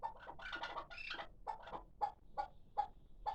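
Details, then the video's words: A hybrid partridge chick, six months old and kept for calling, runs a few rough notes together, then gives clear single chuck notes spaced about every third of a second. "Кабки Гибрид"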